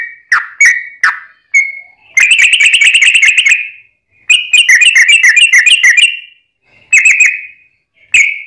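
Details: Fighting song of a yellow-vented bulbul, meant to provoke rival bulbuls to reply: short bubbly whistles interrupted by two long bursts of fast, rattling chatter, then a return to single liquid notes.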